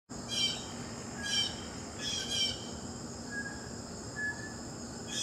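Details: Blue jay giving harsh, buzzy calls: one short burst, then a double call, then another, at irregular gaps over five seconds. A steady high insect drone continues throughout, with faint thin whistles in the background.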